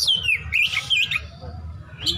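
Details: Oriental magpie-robin singing besetan with rich mimicry fill: a falling whistled slur, then quick warbled twists and buzzy bursts, ending with a high sharp phrase over steady low hum.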